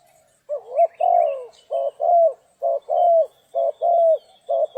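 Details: Spotted dove calling during trapping on a rainy, stormy day: rhythmic mellow coos grouped in twos, a clipped note followed by a longer downslurred one, repeated steadily about once a second.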